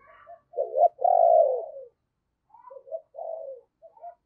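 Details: Spotted dove used as a decoy, singing in the 'giọng sấm bầu' voice to draw wild birds: a strong, husky drawn-out coo, then a softer short run of coo notes.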